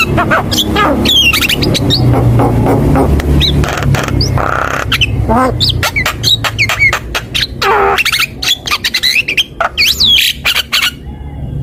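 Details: Javan myna giving a busy, loud song used as a bait and master recording for training birds: harsh squawks, sharp clicks and bent whistles tumbling together, over a steady low hum.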